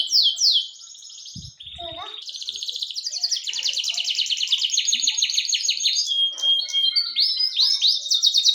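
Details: Canary in full song: short sweeping notes, a couple of soft knocks, then a long buzzy rolling trill that rises in loudness, followed by crisp repeated whistled sweeps.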